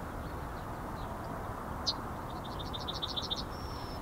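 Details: Male yellowhammer in the Ahsewiesen nature reserve, 17 February 2019, late morning, filmed with a Panasonic Lumix GH5. A fairly distant strophe of seven or eight quick high notes ends in a drawn-out thin tone, over steady low background rumble.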